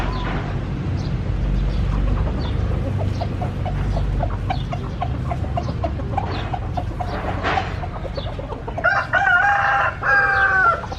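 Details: Chickens heard over a noisy, rumbling background: a long series of short, evenly spaced clucks, then near the end a drawn-out, harmonic, wavering call.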